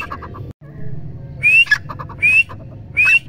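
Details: Grey francolin calling: after a quiet opening with low hum and faint ticking, three loud rising whistled notes, each with harsh clicky pulses, come roughly every three-quarters of a second.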